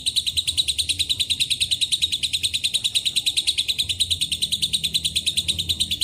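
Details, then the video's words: Sustained ngekek of a lovebird carrying cililin and canary phrases, a very regular, slightly lower-pitched chattering trill beating about three times per second for six seconds without a pause. "LB NGEKEK PANJANG ISIAN CILILIN & KENARI"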